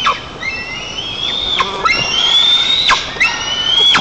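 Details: Nest-camera recording of white-tailed eagle chicks in Tatarstan's Nizhnyaya Kama National Park, 5 August 2024, jostling as the father delivers fish. Thin, high, slowly rising whistled cries overlap, with sharp breaks between them.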